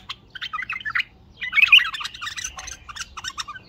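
A bulbul pours out quick, bubbly chattering phrases in two bursts, with a brief pause between them. The notes are bright and mid-to-high pitched.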